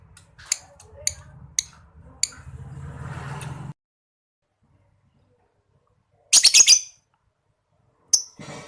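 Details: Lovebird 'ngetik' chatter, played to coax mute or silent lovebirds into calling: a few sharp clicks over low rumbling noise, then a dense burst of shrill, squeaky high-pitched chatter and one short later squeak.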